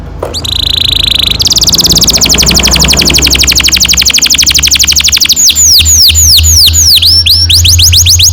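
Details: Canary singing a long roll as a lure for young canaries: a short steady high tone, then an extended fast buzzy trill lasting several seconds, followed by looping whistled notes that rise and fall, over a low background hum.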